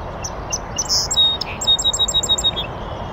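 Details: Song sparrow from North America singing in a bush on oak savanna in the northern USA, next to a beaver pond: a few scattered high sweet notes, then a rapid, even trill of about eight repeated notes, with faint hiss behind.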